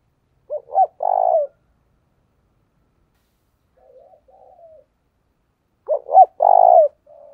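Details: Luring call of a decoy spotted dove aimed at wild doves. Two loud phrases of two short coos and a long pulsing coo frame softer, lower coos in the pause between them.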